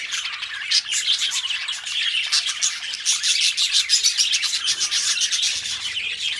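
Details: Budgerigars, two pet birds, warbling continuously: rapid chirps and buzzy squeaks pile up in an unbroken flow.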